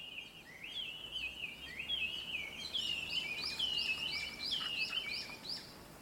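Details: Birds gathered in a large black locust tree beside a house in town, singing at sunrise and heard from a room window: rapid chirping phrases of sliding, downward notes, overlapping and repeated several times a second.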